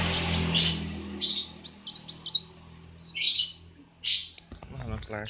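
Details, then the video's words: Caged kolibri wulung sunbird singing in the morning at a workshop: clusters of high, bright twittering notes over a low engine hum, with a person speaking at the end. "KOLIBRI WULUNG NGOCEH PAGI PAGI DI BENGKEL"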